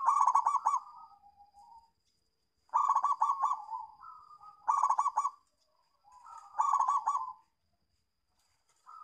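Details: Local zebra dove singing as a lure for other doves and for birds that have stopped singing: four bursts of fast throbbing coos, each ending in a gentle fading tail, repeated at regular intervals over a thin steady whine.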